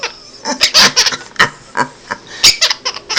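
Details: A male pet Quaker (monk) parakeet giggles in response to his owner's silly noise: a run of breathy, babyish giggles in short bright bursts and quick uneven clusters, some high and squeaky, closely copying a baby's laugh.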